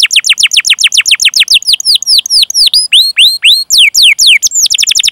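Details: Canary song for prompting canaries to sing: a fast run of sharply descending whistled notes slows into wider swooping rising-and-falling slurs, then speeds up again into quick repeated notes.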